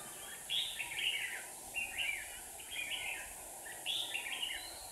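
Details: Red-whiskered bulbul decoy in a Hòa Bình trap sings to lure a wild rival; four clear warbled phrases, each a quick run of rising and falling notes, about a second apart, with steady background hiss.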